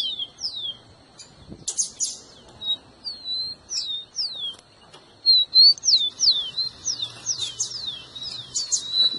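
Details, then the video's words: Rufous-collared sparrow song for warming up a pet bird: spaced high falling whistles, a buzzy burst near the start, then quickening overlapping slurred notes toward the end. "seu tico tico vai ficar doido com esse áudio"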